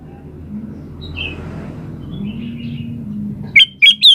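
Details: Three quick bubbly whistled notes from a sooty-headed bulbul in vigorous song, rising and falling in fast succession near the end, after a stretch of low hum and faint background noise.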